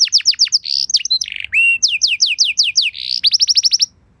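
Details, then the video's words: Canary singing a luxurious lure song meant to prompt other canaries to reply: varied tours of sharp descending whistles mixed with short buzzy bursts, one lower drawn-out note, and a closing fast run of repeated notes. "Bakal Langsung Nyaut Burung Kenari Kondisi Apa Saja Dengan Pancingan Kenari Lagu Mewah Ini"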